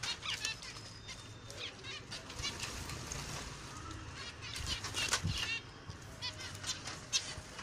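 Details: Several finches chatter together in rapid, high, thin chirps and short twittering notes that come in loose bursts throughout, with soft wing flutters and a low background hum underneath.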